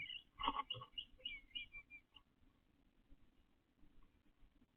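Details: Male eastern bluebird in a backyard during nesting season, gathering pine straw for a nest in late April; soft warbled phrases of short slurred notes around the start, fading into quiet background noise after two seconds.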